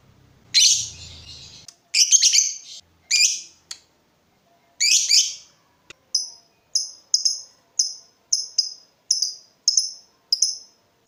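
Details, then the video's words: Lovebird singing as a lure for other lovebirds: four harsh, buzzy screeches opening the recording, followed by a steady string of short, clear, high chirps repeated roughly every half second. "Pancingan lovebird terbaik bikin lovebird anda panas"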